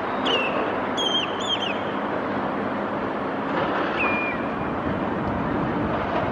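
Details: Common redshanks chasing each other and calling by the River Hull: short, high piping whistles in quick succession, then a single call, over steady rushing noise like traffic or water.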